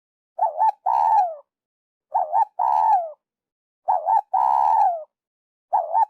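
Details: Spotted dove lure call for trappers, repeating about every 1.7 seconds. Each phrase has a quick double-humped note followed by a long purring coo that falls at its end. Faint hiss between phrases.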